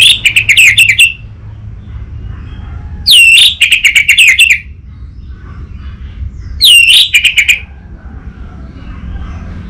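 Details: Untrained orange-headed thrush singing as a lure and tutor bird: three loud phrases of quick, rich whistled and warbled notes, each about a second long, repeated roughly every three and a half seconds with quiet gaps.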